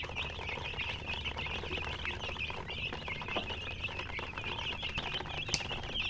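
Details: A hen with chirping chickens, the flock giving quick, high peeps in a steady overlapping stream against faint low hum.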